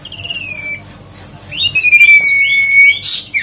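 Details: Whistled song of the grey-headed canary-flycatcher, used to lure and provoke singing: a soft descending whistle, a pause, then a loud sustained level whistle with short rising notes breaking over it.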